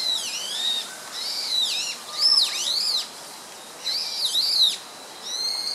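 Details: Song thrush, described as a rare bird, recorded on 24 March 2014: loud, clear high phrases of looping whistles and sharp down-slurred notes. Some phrases come twice in a row, separated by short pauses, over a quiet background.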